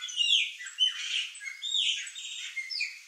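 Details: A flock of Chopi blackbirds feeding on fruit in a yard, giving a dense, continuous jumble of clear whistled notes and squawky chatter from several birds calling over one another.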